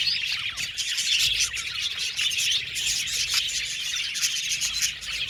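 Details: Budgies in a colony aviary, singing and chirping: crowded, high-pitched twittering with bright chirps popping out about once a second over continuous chatter.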